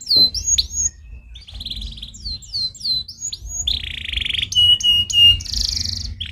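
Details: Canary singing a stimulating song, opening with looping downslurred whistles, then buzzy rolls, a dense low-pitched rattle and sharp repeated notes before a bright high trill; faint low hum throughout.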